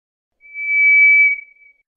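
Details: One clean, sustained whistle of a White's thrush. It swells, holds a steady high pitch for about a second, then fades with a faint trailing waver.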